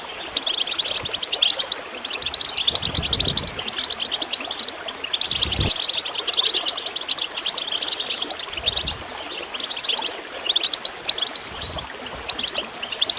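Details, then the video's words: Goldfinch chirping over gurgling water, played to encourage other birds to sing: a dense, fast high twitter of short bright notes runs almost without pause, with low watery bursts near three and five and a half seconds. "Water gurgling with goldfinch chirping to encourage birds to song"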